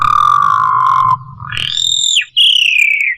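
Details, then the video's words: Asian pied starling tutoring song with rich fills: a long steady whistle, a higher clear note that slurs downward, then a sustained descending whistle, over a faint low hum. "masteran jalak suren 1 menit langsung ikut bunyi ful isian mewah"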